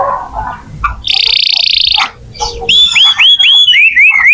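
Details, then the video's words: Canary song meant to coax young or non-singing canaries into singing: a soft low warble, then a buzzy rapid trill, then a run of repeated rising-falling whistled notes about four per second. "Kenari gacor untuk pancingan kenari muda atau macet bunyi"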